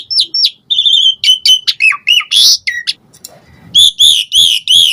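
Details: Asian pied starling singing varied fill-in phrases to provoke other starlings into answering: fast whistles and slurred notes with a harsh burst, a short quiet gap, then four repeated arched whistles.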